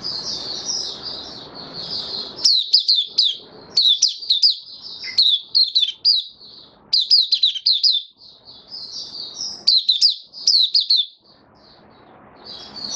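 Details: Open "buka" singing from a caged white-eye on 18 May 2022 after deworm treatment: repeated clusters of fast, high, twittering notes separated by brief pauses, with faint room hiss between phrases.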